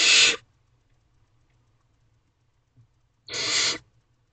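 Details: Barn owlets in an owl box at 2:56 am on 5 May 2023, eating a rabbit their mother brought and prepared, give two harsh, rasping hisses, each about half a second long and roughly three seconds apart, in an otherwise quiet night.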